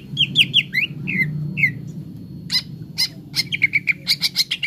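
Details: Green leafbird (cucak ijo) used as song therapy for kept birds: descending whistled slurs, a few sharp chips, then a rapid rhythmic run of bright notes over a noticeable low hum.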